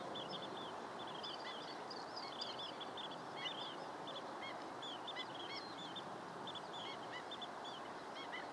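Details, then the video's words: Steady chatter of high, clipped notes from long-billed dowitchers, some paired, some in fast runs, continuing throughout over a broad, even noise floor. "Long-biiled Dowitcher"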